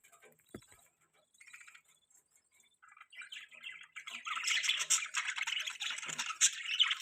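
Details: Budgies start with faint scattered chirps, then break into a continuous, dense, buzzy, high warbling chatter for the last three seconds.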